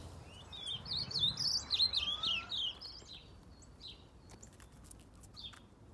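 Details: Aviary ultramarine grosbeak, known as azulão, delivering a brisk phrase of sliding, warbled high whistles lasting about two seconds, followed by a few faint isolated chirps.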